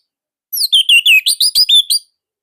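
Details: Indonesian Orange-headed thrush, kept by a bird hobbyist, sings one dense phrase of quick slurred whistles and chirps. Each note drops or rises, delivered loud and tight in under two seconds.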